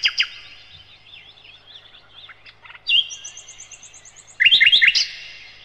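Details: Nightingale, known locally as sikatan londo, singing a master recording used to train other cage birds: high thin notes, a sustained high trill, then a loud burst of rapid sweeping whistled notes near the end.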